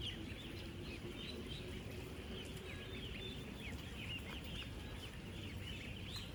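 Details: Ten-day-old ducklings in a crowded farm flock of 16,000 give a continuous wash of high, short chirps, many curving up or down. Overlapping calls never stop, with a dull low hum underneath.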